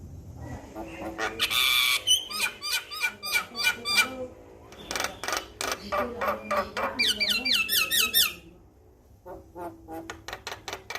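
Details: Male Javan myna song for training other mynas to sing: a rasping hiss, then rapid trains of clicking, chattering notes and a burst of descending whistled slurs, ending in faster clicks.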